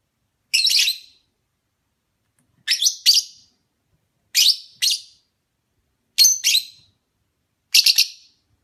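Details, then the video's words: Opaline parblue lovebird chirping in a steady series: sharp, high, shrill notes, mostly in pairs, repeated roughly every one and a half to two seconds against silence. "Lovebird Singing & Chirping sounds - oplaine parblue"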